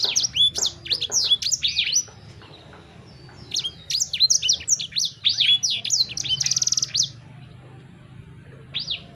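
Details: Sanger bird singing a fast, varied run of high chirps, downslurred whistles and short buzzy trills in two bursts, pausing near the middle, then resuming with a brief phrase at the end; faint low hum beneath.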